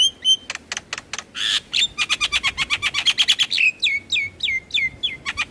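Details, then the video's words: {'text': 'Javan myna song played each morning and evening to prompt stressed, quiet caged mynas to sing; harsh broadband rasps followed by rapid chattering notes and clear whistled downslurs repeated about twice a second.'} "Terapi Burung Jalak Stres Malas Bunyi Rutin Putarkan Suara Jalak Kebo Setiap pagi dan Sore"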